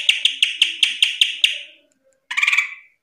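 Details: Cucak ijo, green leafbird, in full ngeplong song: a series of eight evenly spaced sharp, harsh chip notes, a brief silence, then a fast chattering burst.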